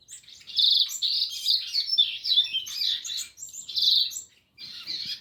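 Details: A rusty-collared seedeater sings loud, high, fast twittering phrases with buzzy trills, broken by short pauses and a brief silence near the end.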